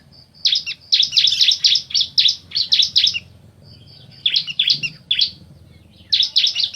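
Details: Bar-winged prinia pair, male and female, answering one another with dense rapid bursts of loud high chirps in three groups separated by short pauses, over a low rumbling background.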